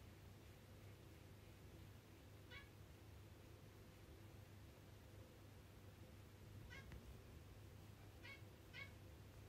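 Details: A pet zebra finch, coming to its owner to be massaged, gives four short, nasal, toy-trumpet beeps, spaced irregularly, over a steady low indoor hum.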